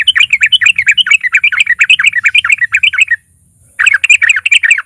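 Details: Lively sooty-headed bulbul song used as a lure to make silent bulbuls start singing. A dense, jumbled chatter of quick warbled notes runs for three seconds, pauses briefly, then resumes, with a faint high whine behind.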